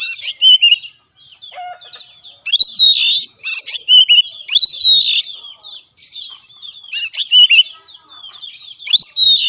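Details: Kacer (Oriental magpie-robin) lure song for a caged bird that will not sing: a varied stream of loud whistled and rasping phrases, then brief low-level twitters between bursts.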